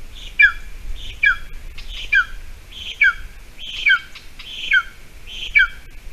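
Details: At a Latvian golden eagle nest, breakfast of a small mouse on 28 June 2020, with food scarce around the bog: seven shrill down-slurred whistles at an even pace, each led by a softer hissing note.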